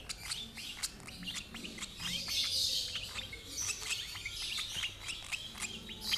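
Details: Lovebird fed by its older sibling from the same parents, with a dense patter of high ticking chirps and a rushing, hissy burst midway, low hum faint beneath.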